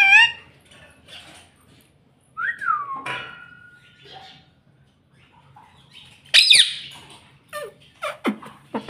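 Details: Pet ring-necked parrot taught to say "mummy": a loud harsh squawk opens, followed by short slurred speech-like syllables and scattered shrill squeaks, with a person nearby repeating "Mami?" in a quiet room.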